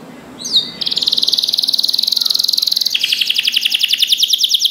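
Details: Canary song used as a training recording for other canaries: a brief upward note, then a fast even trill of high notes, shifting after two seconds to a lower, slightly slower trill.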